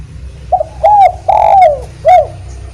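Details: Spotted dove (derkuku) cooing to set other doves singing, a 'kuk 1' style call: a short soft coo, then two drawn-out hoarse coos, the second longer and falling, and a final rounded coo, loud and close.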